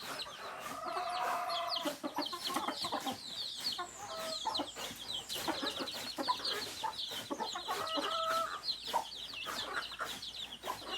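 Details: Flock of native chickens, roosters and hens: continuous overlapping high-pitched chirps and short clucks, with a few brief tonal calls rising above the chatter.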